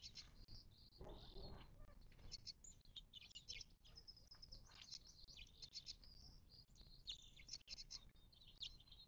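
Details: Chorus of desert birds at a watering hole in the western Mojave, not far from Joshua Tree National Park, March 2024: steady high twittering and chip notes throughout, with a low thump early on.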